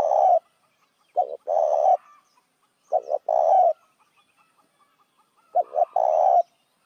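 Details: Spotted dove call used as a lure for other doves: three phrases, each two short clipped notes followed by a longer, steady coo, spaced widely apart in a quiet setting.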